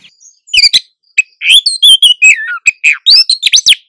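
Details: Female Oriental magpie-robin in breeding condition calling to lure a male, birds answering one another, recorded in the wild: after a brief quiet, rapid high chirps and sharp whistled notes, some sweeping down, in dense bursts.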